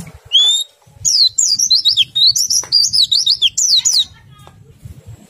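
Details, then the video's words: Oriental white-eye delivering a lively, fast warbled ngriwik phrase of high zigzagging whistled notes lasting about three seconds after an opening rising whistle, played to stimulate other white-eyes to sing. "PLECI meriwik ngerol sambung nembak, sangat ampuh merangsang pleci ikut bunyi"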